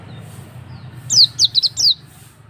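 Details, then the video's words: Lure recording of an Auri oriental white-eye meant to get a bird singing: a short run of four or five sharp, high-pitched descending chirps in under a second, with a constant low background drone. "Pancingan pleci auri agar bunyi"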